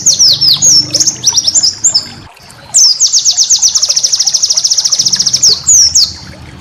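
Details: For training cage birds, a white-eye sings bright, sliding high twitters followed by a prolonged rapid trill of crisp repeated notes and a couple of final downslurs. A faint low background hum is heard.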